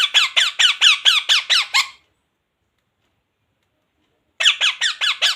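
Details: Talking parrot, said to say words like 'mummy' and 'roti do'. Eight rapid, shrill, squeaky notes, a pause of over two seconds, then five more of the same quick, bright notes.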